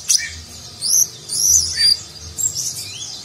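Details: Konin (kolibri ninja) sunbird song in the gacor Nagen style with rich fill, meant as a tutor for contest birds: high, thin twittering phrases and sharp down-slurred notes in short bursts, with a faint low hum beneath.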